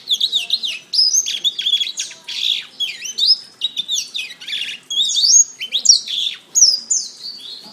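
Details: Canary master song for training songbirds: energetic, continuous warbling of high chirps and twisting whistles in short clustered bursts, quiet background.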